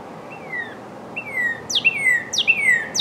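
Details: Cardinal giving its spring mating song: clear whistled notes falling in pitch, each slow at first, then joined by sharp upswept chips, repeated roughly every half second toward the end, with faint hum behind.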